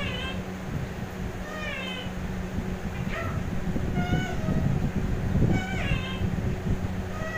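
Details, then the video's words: Indian ringneck parakeet talking, saying "Mithu" and "bye": short, voice-like harmonic phrases with wavering, slurred pitch, about six utterances in seven seconds, over a steady low hum and rumbling background noise. "Indian Ringneck Parrot Talking Mithu Bye"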